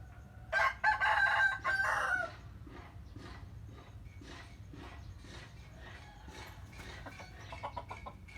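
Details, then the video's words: Rooster in the morning: a strong crow broken into loud bursts over the first two seconds, followed by a long stretch of soft, irregular clucks against steady background hum. "The sound of chicken crowing in the morning"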